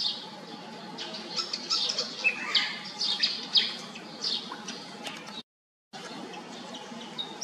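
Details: Malaysian pied fantail (Rhipidura javanica) giving high, squeaky, scratchy chattering notes in quick irregular bursts, with faint chirps from other birds and a brief break in the sound.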